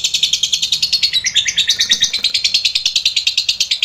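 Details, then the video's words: Lovebird in long ngekek trilling, recorded as master material for training other lovebirds: a steady fast string of shrill, raspy pulses, around eight per second, without pause. "Masteran* lovbrid GACOR ngekek panjang"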